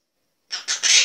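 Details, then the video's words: Cookie, a talking monk parakeet in Poland, utters three quick, raspy, high-pitched syllables of imitated speech after a brief silence, while exchanging words like "good" and "good morning" with its keeper. "Gadająca papuga COOKIE gada, śpiewa i tańczy"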